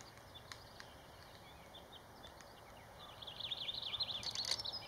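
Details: Black-backed woodpecker (Picoides arcticus) calling in Malheur National Forest, Harney County, Oregon, USA, on May 21, 2019: a few faint sharp clicks in a quiet forest, then a fast, high chattering run of notes.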